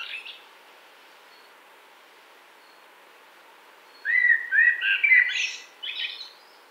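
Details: Common blackbird in spring woodland, 2017, giving a short fluty warbled phrase of a few whistled notes with a high scratchy ending after a quiet pause.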